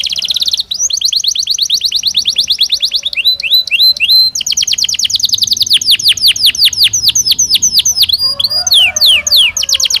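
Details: Captive Belgian canary singing naturally in a long unbroken phrase: rolling trills of rapid downslurred notes, a few fast triplet figures, then stretches of quicker descending whistles, loud and close throughout.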